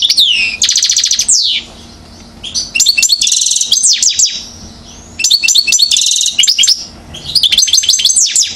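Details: Goldfinch song in the 'acrobate' style from a one-year-old bird at Mouzaia, Algeria, recorded 2012: lively phrases of high metallic trills, buzzy rattles and clipped tinkling notes, separated by short pauses, repeating in about four bursts.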